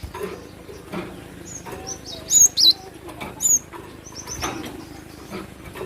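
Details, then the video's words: Cinereous tit (glatik batu) in full song: faint high whistles lead into two loud sharp piercing notes, then one more clear whistle, with soft thuds and background hiss. "Suara asli burung glatik batu"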